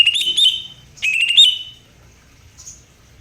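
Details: Greater green leafbird singing two short, loud, clear whistled phrases about half a second apart. Each phrase is a quick run of warbled notes, and the second ends in a brief rising flourish. A faint high chip follows, then quiet.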